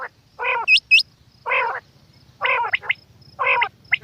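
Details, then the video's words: Female quail uttering hoarse, nasal buzzy notes about once a second, interspersed with brief high hooked whistles and quick clipped chirps. "Batair Ki Awaz Quail Sounds bedana ovozi Bedana makiyon bedana sayrashi bedana sayroqi"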